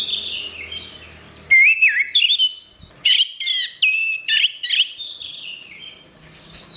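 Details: Orange-headed thrush song for training songbirds: a loud run of varied whistled phrases with sharp clicks and bright slurred notes, delivered in three bursts over about three seconds, between stretches of faint high-pitched chatter.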